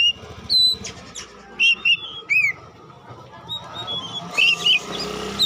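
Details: Oriental magpie-robin lure song: a few loud bright whistled phrases with downward slurs, separated by pauses, then a softer scratchy burst and more whistles against a steady background hum.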